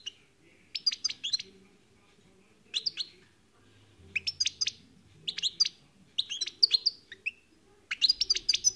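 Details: European goldfinch song: repeated short bursts of rapid, high, tinkling twitters and buzzy chirps, each phrase under a second, with brief pauses between and a quiet low hum behind.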